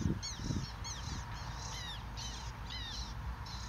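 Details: Black terns at nest rafts, adults busily bringing food such as dragonflies to their young, give short, harsh, down-slurred calls about twice a second, overlapping from more than one bird, over a steady low rumble of wind.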